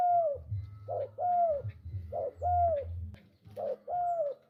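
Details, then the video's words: Lively spotted dove cooing in four phrases. Each is a brief soft opening note, then a sustained coo that sags in pitch at its end, coming at a fairly even pace. A low droning hum runs underneath. "Burung Tekukur gacor"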